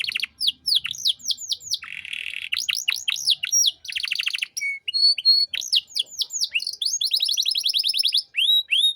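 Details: Energetic canary singing used to tutor young songbirds: varied trills of steep descending notes, a buzzy stretch, flat whistled notes and a closing fast rolling trill.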